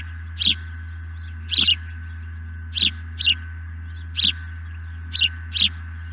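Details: An osprey calls above a nest, sounding like a male in a sky dance, on an evening in April 2020 at a nest camera: sharp high chirps, often in pairs, repeated every second or so, over steady electrical hum.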